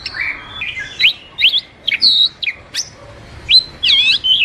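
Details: Oriental magpie-robin training and lure song, spaced-out sharp upward-sweeping chirps and short whistles, with a buzzy, layered phrase near the end.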